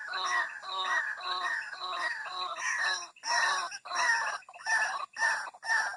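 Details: White-breasted waterhen calls used to lure birds out of thickets: rough, croaking notes in quick succession, about two per second, the later ones louder and more separated, over faint background hiss.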